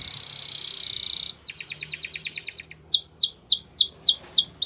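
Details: Canary song starting with a steady high buzzing trill, then a rapid even rattle of short notes and a series of louder swooping chirps, over a low background hum.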